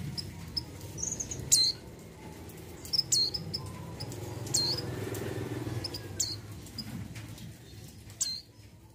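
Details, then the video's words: A female mountain white-eye in breeding condition calls to males with thin, high, sharp chirps, single or doubled, about every one to two seconds, over a low background rumble. "PLECI MONTANUS MONTY BETINA BIRAHI MEMANGGIL JANTAN"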